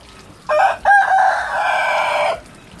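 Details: Rooster crowing in a crowing contest against other roosters: a short opening note, a brief gap, then a long, even, harmonic-rich crow held for about two seconds before stopping abruptly, over a quiet background.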